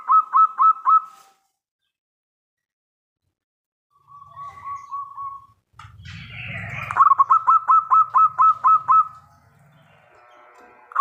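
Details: Terasan song of a local zebra dove: a short run of four rapid coos, a softer trilled phrase, a brief rustling clatter, then a long string of about nine quick, bubbling coo notes.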